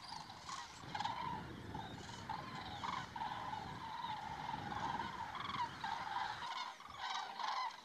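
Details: Resting flock of common cranes in the Rehdener Geestmoor, Diepholzer Moorniederung, Germany, on 5 October 2016 in autumn; many birds give loud trumpeting, rolling calls that overlap continuously, over low rumbling background noise.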